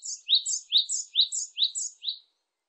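Japanese tit singing a quick run of about five two-note phrases, a high thin note dropping to a lower one, over two seconds. No other sounds.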